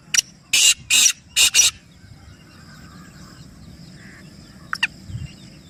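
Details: Black francolin call used to make pet francolins call: a sharp note followed by three rough, buzzy bursts grouped tightly together, then quiet with a faint distant chirp near the end.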